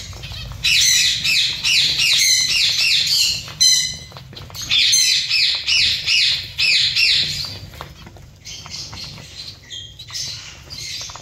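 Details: Colony of zebra finches giving rapid strings of short, nasal, zigzag calls, about three per second, in two long loud runs, then a quieter and more scattered patch of chirps near the end.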